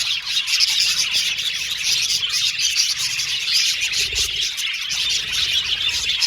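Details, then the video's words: Budgerigar colony in an aviary, many birds chattering at once in a dense, continuous wash of high warbling and chirping with no pauses, a few brief low thumps near the four-second mark. "Budgies Singing and Chirping Sound"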